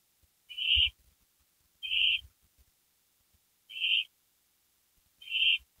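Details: An owl back on a porch just after midnight on May 3, 2012. Short, clear whistled notes, all at the same pitch, come every one to two seconds, with faint low knocks in between.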